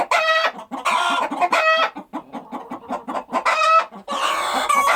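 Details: Farmyard chickens clucking as they go about their day, with a steady run of short soft clucks broken by several loud, ringing squawks and a harsh cackle at the close.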